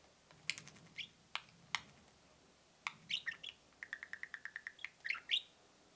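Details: Pet budgerigars peeping and cheeping indoors: scattered sharp clicks and high chirps, then a run of about ten evenly spaced short cheeps near the middle, ending in a brief squeaky twitter; quiet background hiss.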